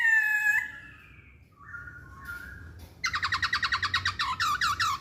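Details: Masked laughingthrush, kept as a cage bird, singing: a drawn-out harmonic whistle gliding downward, a pause with softer notes, then a rapid burst of repeated looping chattering notes, about eight per second.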